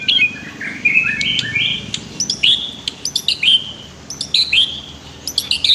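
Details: White-rumped shama song as a master for training other birds, with river sounds: sweet slurred whistles and sharp high ticks, phrases coming in bursts about a second apart.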